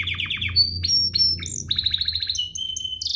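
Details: Domestic canary (Serinus canaria domestica) used to lure other canaries into singing: a fast, varied song of rapid repeated chirps, high whistles and trilled runs, with a faint low hum underneath.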